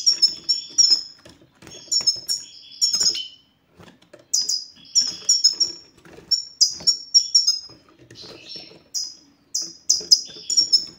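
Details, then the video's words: European goldfinch singing the 'satsata' ('batbata') style used to stir silent males into song: bursts of quick, high, tinkling notes and slurs with a couple of short silent breaks between phrases. "ستستة الحسون سوف تجعل الحسون ينطق رغم عنه"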